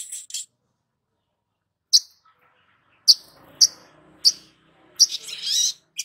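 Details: Long-billed spiderhunter sounds used as a lure to make a young bird sing quickly and often. Short, high, piercing chips spaced about half a second to a second apart end in a brief buzzy high flurry. Faint low background murmur.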